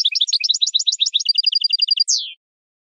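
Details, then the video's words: Jilguero campero (Saffron finch) song for teaching captive birds: quick alternating high chips, then an even run of about ten identical clear notes, ending in a short downward-sliding slur before silence. "NUEVO CD JILGUERO CAMPERO PARA EDUCAR"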